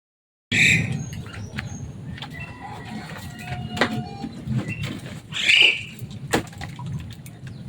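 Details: Captive Javan myna, a pet bird described as loud and noisy and able to mimic human speech, giving harsh squawks and sharp clicking notes separated by pauses, with steady low background hum.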